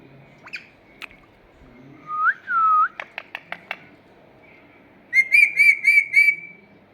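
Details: Pair of Indian ringneck parakeets in a garden giving two short gliding whistles, a burst of five sharp clicks, then five rapid buzzy, rasping notes repeated in an even, fast rhythm.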